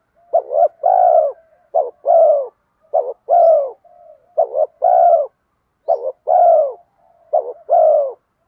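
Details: Spotted dove with a 'giọng đồng' voice, cooing to pull wild spotted doves in. Six evenly spaced low two-part coos, a short wavering note then a fuller sustained coo, with faint soft notes between some phrases.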